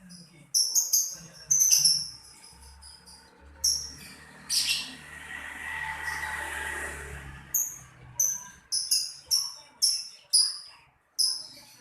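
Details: Lovebird chirping in a run of short, sharp, high-pitched notes, roughly two per second, with a pause in the middle filled by a brief noisy hiss and a low hum.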